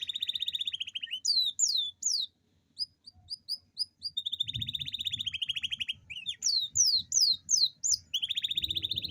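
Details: Domestic canary giving a long rolling song to spur lazy canaries to sing: buzzy rapid trills alternating with bursts of loud descending whistled sweeps, the trill returning mid-way and again at the close, faint low rumbling underneath.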